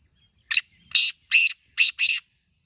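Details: A black francolin, or kala teetar, contest bird giving its rhythmic call of five harsh notes, one short then two drawn-out and a closing pair, against soft low background noise.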